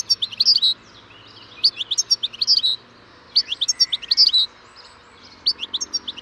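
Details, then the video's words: Goldfinch (Carduelis carduelis) delivering bursts of tinkling, high twittering song, each phrase of rapid mixed chirps and trills lasting about a second, separated by short pauses, in a quiet setting. "O canto do PINTASSILGO/GOLDFINCH SONG (Carduelis carduelis)"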